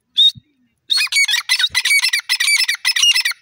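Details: Wild grey francolin, described as Irani desi teetar, calling: after one sharp note and a short gap, a fast run of harsh, grating, screechy notes repeated about eight times a second.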